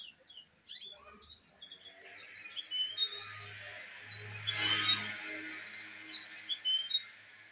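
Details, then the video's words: Goldfinch mule song: a jumble of high tinkling notes and slurred twitters running continuously, over a low steady hum and a brief broader rustling noise midway. "le chardonnet chant mulet"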